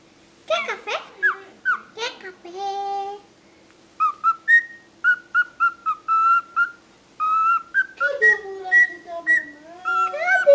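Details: Talkative cockatiel, a household pet, mixing scratchy chatter and a buzzy held note with a long run of crisp repeated whistles, ending in warbling slurred phrases.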